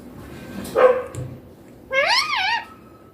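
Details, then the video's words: Young green Indian ringneck parakeet talking in Hindi, saying "mummy papa": a short harsh syllable, then after a pause a longer arching, harmonic, voice-like phrase, in a quiet indoor setting. "My Indian ringneck green baby parrot talking clear"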